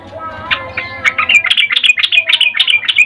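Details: Female sooty-headed bulbul calling a male with a ngecuplik-style mating call: after a quiet opening, quick bubbly chirps build into a dense, rapid run of short notes, with a steady low hum underneath.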